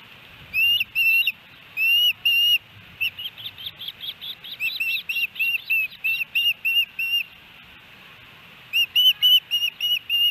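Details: Osprey calling at the Hellgate Canyon nest, Missoula, Montana, on July 13, 2018, during a three-fish day for the adults and chick. Bursts of clear, piercing whistled cheeps in quick, uneven runs, separated by short pauses.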